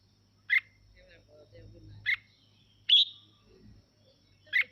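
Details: Red-whiskered bulbul song used to get other birds singing. Single crisp chirps are spaced about a second apart, with one louder, clear whistle that slides and trails off, over a quiet low hum and faint murmuring.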